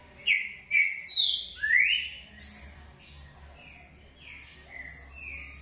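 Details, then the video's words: Green-winged saltator gives a short song of four loud, rich, slurred whistles in under two seconds, some rising, followed by softer chirps and whistles. "Trinca ferro canto curto"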